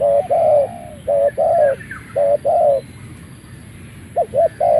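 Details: Spotted dove of Malay stock kept as a ground decoy, crowing as soon as it leaves its box: deep, soft paired coos, each phrase ending in a longer drawn note, repeated three times, over a faint hiss with light chirping.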